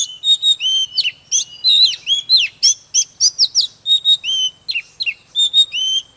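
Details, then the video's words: Loud, rich song of an Oriental magpie-robin used to stimulate fiery singing: a nearly unbroken stream of varied whistles, upslurs and downslurs, and clipped notes, delivered fast and evenly over a quiet background. "Chòe than HÓT MÚA || KÍCH LỬA || Kích chòe than hót căng"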